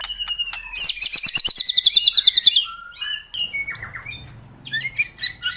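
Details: White-rumped shama singing strongly, used to coax silent caged shamas: thin whistles, then a loud pulsing trill of high notes repeated about five per second, then softer varied chirps and whistles.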